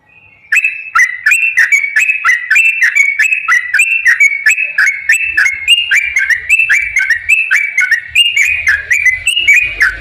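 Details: Sooty-headed bulbul, lure recording for caged birds: a ten-second stream of lively whistled notes rising and falling quickly, delivered about three per second, full and continuous without pauses.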